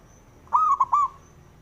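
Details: One male zebra dove phrase, a call used to provoke other doves: a rapid, clear, stuttering series of three coos with a short trailing tail.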